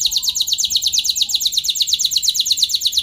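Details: Canary lure song to get other canaries rolling long: one continuous very rapid, even, rolling trill throughout.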